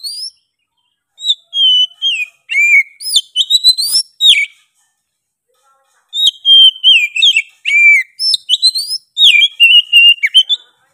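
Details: Lively Oriental magpie-robin singing nonstop in two long bursts: rich whistled notes, sweeping upslurs and rapid clipped chirps, separated by a pause of about a second and a half, clean quiet background.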